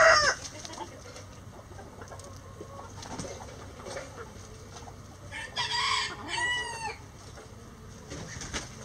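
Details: Distant rooster crowing before dawn as the flock flies out of the coop: a short, quieter crow of about a second and a half rising out of low background noise.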